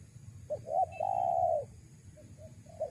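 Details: Spotted dove cooing as a lure for wild doves: two quick clipped notes lead into a long, level, hollow coo, followed by faint softer coos at the end, with quiet background hum.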